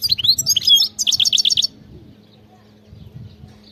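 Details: Wild European goldfinch in field-style song: mixed twittering whistles followed by six evenly spaced chirps, then quiet with a low background hum and soft rumbles.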